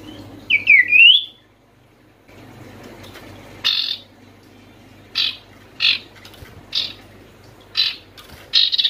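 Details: Oriental white-eye (sirtu) calling to lure silent white-eyes into singing: one brief high twittered phrase, then a run of short harsh, hissy bursts about once a second.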